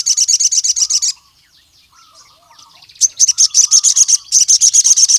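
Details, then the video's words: Crimson sunbird singing persistently to lure rival males. A fast string of high, metallic chips stops for a soft twittering interlude, then resumes in two long rapid chip runs. "SOGON GACOR MEMANGGIL LAWAN JANTAN"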